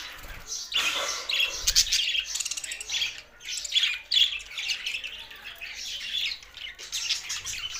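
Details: Several budgerigars, kept birds, from Larkana, Sindh, singing happily: dense, continuous warbling chatter of scratchy chirps and squeaky notes, rising and falling in loudness, with a brief low thump near two seconds.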